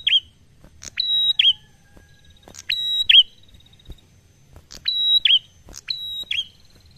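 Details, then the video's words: Prinia giving a slow, relaxed 'ngalun' style song, used to coax other birds into singing: repeated phrases of a sharp click, a level high whistle, then a short downslurred note, about every two seconds, with a faint low hum beneath. "Prenjak Ngalun Santai Sangat Cocok Untuk Pancing Bunyi"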